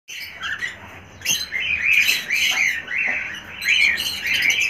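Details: Cockatiel chick begging while being hand-fed, giving continuous harsh, raspy high-pitched squawks that rise and fall in rapid bursts.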